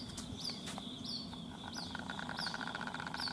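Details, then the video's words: White-breasted waterhen chick calling for its mother at a house in Rajasthan, India; high falling peeps about every half second, joined midway by a faster run of lower, evenly pulsed notes, with background rumble. "Waterhen baby calling"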